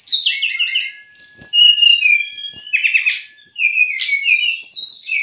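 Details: Captive-bird training song of the brown-chested jungle flycatcher, meant to stir new or stressed birds: quick descending whistled notes over one long, thin steady tone, then a buzzy burst and bright upslurred whistles.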